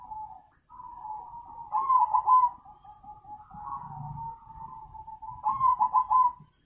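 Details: Steady purring coos from a zebra dove, broken by two loud, fast stuttering trills and a softer rolling phrase in between.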